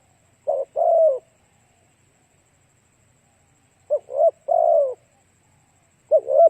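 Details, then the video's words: Spotted dove song played to attract other doves: short bursts of two or three hoarse coos, the last longest and falling, separated by long silent gaps. "Cu gáy kích mồi tập bổi hiệu quả nhanh"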